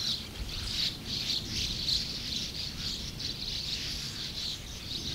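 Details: Over 100 sand martins calling together at their colony, a constant mass of scratchy, high twitters with no pauses, accompanied by low, steady rumble.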